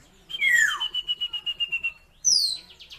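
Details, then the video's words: Asian glossy starling, a kept bird, singing: a falling whistled slur joined by a long, even, high tone with a pulsing trill beneath it, then a sharp high descending whistle after a short pause. "BURUNG RAJA PERLING ISIAN MEWAH UNIK"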